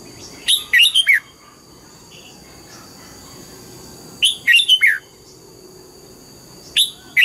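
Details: Morning song from a red-whiskered bulbul in double-note wild style: three rapid phrases of four lively, slurred whistles, each separated by about three seconds of quiet over a thin constant whine.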